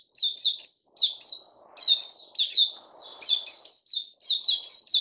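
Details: Caged songbird kept for song, singing a fast string of high, sweet warbled phrases, each note sliding down then up, in bursts of three or four with brief pauses between.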